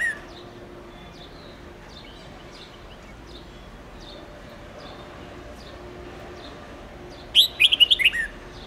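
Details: Red-whiskered bulbul song played to teach young birds long 7-10 note songs. Mostly quiet background with faint distant chirps until one loud, quick whistled phrase of about six notes near the end.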